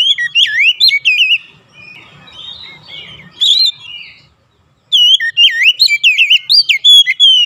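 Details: Oriental magpie-robin singing to stimulate caged birds. Bright, varied whistles swoop up and down in quick succession, with a brief note mid-clip and a second burst of looping phrases near the end.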